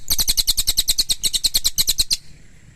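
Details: Pygmy tit (cililin) singing a fast burst of about seventeen sharp, high, buzzy chattering notes in two seconds, ending abruptly into quiet.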